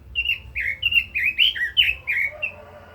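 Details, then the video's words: Red-billed leiothrix singing in a fired-up 'kích giọng' style: quick warbled phrases of rich, slurred whistles, rising and falling, delivered in a rapid run of about eight notes before trailing off, over a faint low hum. "Chim Quế Lâm kích giọng hay, căng lửa - Burung Robin Gacor | Chim Kim Oanh Mỏ Đỏ"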